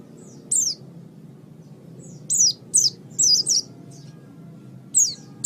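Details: Oriental white-eye (pleci), pet songbird, master recording: scattered single high, sharp, falling chirps and a short cluster of quick whistles, separated by pauses, over a low background hum.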